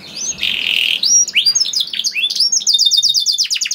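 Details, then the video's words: Canary lure song to prompt other canaries: begins with a rough, noisy buzz, then swooping slurred notes and an accelerating high trill of sharp repeated elements. "PANCINGAN KENARI GACOR DOR NGEREK PANJANG INI AMPUH BIKIN KENARI LAIN BUNYI"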